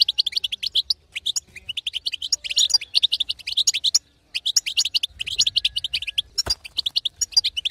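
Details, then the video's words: Female European goldfinch calls played to stimulate a male's song, a steady rapid chatter of bright notes, pausing briefly near four seconds, with one sharp click toward the end. "أقوى بتبته حسون تهيج وتهبل الحسون الساكت"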